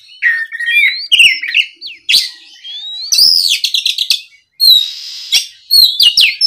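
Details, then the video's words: Oriental magpie-robin, stirred up by a rival bird, sings a rich varied string of whistles, trills and buzzy harsh notes, with a rapid rattling series in the middle and sliding whistles at the end. "MEMANCING KACER LAWAN AGAR LEKAS BUNYI NYAUT & GACOR! SUARA BURUNG KACER GACOR NGEPLONG !"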